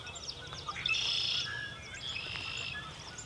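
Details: Sandhill cranes calling at sunrise from a marsh under cloudy skies: two hoarse, rattling, honking bursts, each lasting about a second, set against steady high chirps from many smaller birds.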